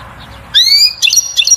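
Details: Short burst of goldfinch 'batbata' song aimed at stimulating a female to mate and nest: a rising clear whistle followed by two quick liquid twittering notes.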